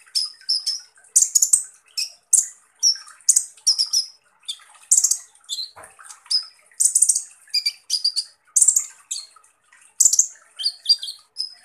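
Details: Van Hasselt's sunbird (kolibri ninja) sings a 'tembakan kasar' song: a long busy string of high shrill chips, harsh buzzy bursts and brief slurred whistles, the phrases packed closely with short pauses between.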